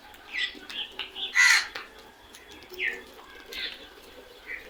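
Crows give a string of harsh, rasping squawks, about six in five seconds, with one loud, coarse burst standing out.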